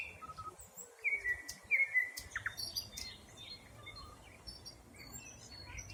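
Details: Springtime forest, 2020: two clear drawn-out whistles with a twist at the start stand out near the beginning, then faint scattered high chirps and distant calls over soft hiss.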